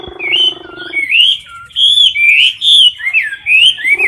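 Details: Chinese hwamei in a cage, singing competition style at close range: a short buzzy nasal note opens, then loud clear whistled phrases with rising and falling slurs come in separate bursts, about one per half second.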